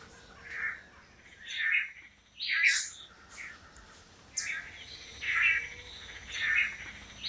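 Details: Male Long-tailed Manakins performing a courtship display before a female at a Costa Rican lek: harsh buzzy notes given at uneven intervals, roughly one per second, with a short pause midway and a faint, steady high tone in the background.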